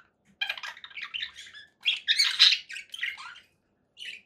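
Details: Conure parakeet chattering and squawking in a continuous raspy stream of notes, rising to a loud burst mid-way before a single later call.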